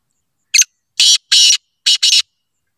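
A black francolin gives one harsh, grating phrase: a short clipped note, then four rasping, buzzy notes in quick pairs, against silence.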